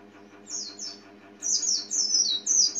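An Oriental white-eye gives about seven thin, very high chirps, each sliding downward, in quick loose runs over a low steady hum.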